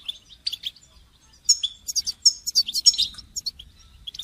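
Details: Goldfinch song: clusters of high, bright twittering chirps and tinkling notes, sparse at first, then a dense run of rapid varied phrases from mid-clip, with quiet gaps between bursts.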